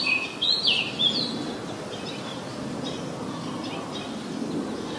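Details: Oriental magpie-robin, a very common resident, singing in Ubon Ratchathani, Thailand, on 14 October 2021, recorded with a Nikon P1000; a few clear high whistled notes in the first second, then steady rural background noise.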